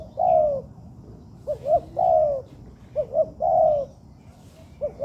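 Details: A young spotted dove in training in a man-made yard coos steadily. A drawn-out, downslurred note alternates with paired short hoots, making a mellow three-part rhythm repeated several times.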